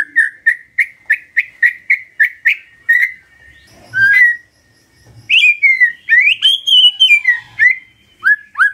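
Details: Magpie-robin morning song to trigger an answer from a silent bird: a fast series of identical whistled notes repeated about three per second, a pause, then longer sweeping whistles and slurred phrases.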